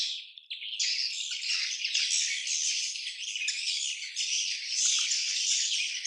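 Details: Swiftlet colony chatter: after a short quieter start, a constant high, buzzing twitter from numerous birds swells and holds to the end.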